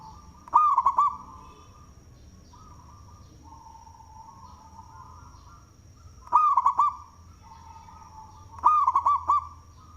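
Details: Local zebra dove with a big voice, cooing to draw others as a lure: three phrases of staccato clicks and looping coos, a long pause after the first, a faint droning tone in the gaps and a steady high whine.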